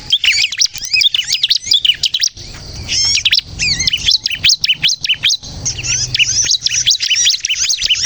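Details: Bar-winged prinia in lively 'gacor' song, used as a lure to trap birds and prompt young birds to sing: rapid high, thin chirps and zigzag trills in dense bursts, with a short lull near the middle.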